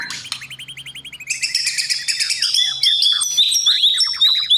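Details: White-rumped shama in competition song practice: a fast even series of repeated notes at first, then a dense burst of high varied whistles and trills, with a faint low hum underneath.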